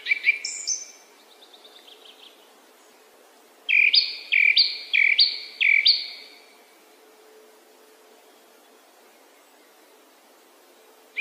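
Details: Song thrush opening with a high whistled phrase and soft trill, then after a pause repeating one bright two-note phrase four times, followed by quiet.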